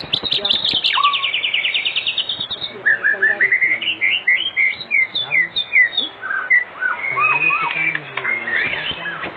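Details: Oriental magpie-robin song played as an afternoon lure to make other magpie-robins sing: a high rapid rising trill, then a string of varied whistled slurs and scratchy notes at a steady lively pace.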